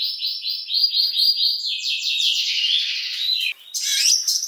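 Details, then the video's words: Oriental magpie-robin, kacer, giving a long-shooting song: a run of rapid repeated high notes, then a broad buzzy rattling passage and scratchy varied phrases after a brief pause. "INGIN KACER NEMBAK PANJANG , Dengarkan Suara Kacer yang Satu Ini !!!"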